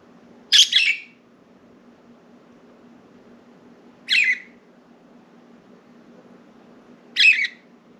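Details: Budgerigars kept as pets, loose outside the cage on window blinds in a room; three brief harsh chirps spaced about three seconds apart over a faint low indoor hum.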